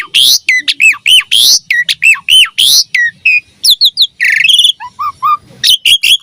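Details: Javan pied starling song used to prompt replies from young starlings: repeated looping whistles and harsh bursts, then a softer trio of short rising notes and more chatter.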